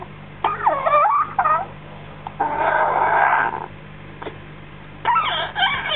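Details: Baby African grey parrot, six weeks old, chatters after feeding: swooping whistled notes that rise and fall, a long raspy hissing stretch in the middle, then more looping warbles, over a low background hum.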